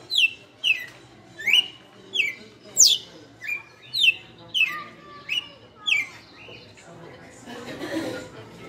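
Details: Açoite song of a captive red-cowled cardinal, owned five years: about ten crisp, descending whistled notes in quick regular succession, then a brief patch of soft rustling noise.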